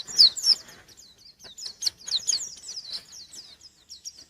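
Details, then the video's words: White-eye singing to challenge a rival: a few loud, sharp high chirps open a busy, somewhat softer chatter of quick twittering notes that continues to the end. "Burung pleci gacor nyari lawan"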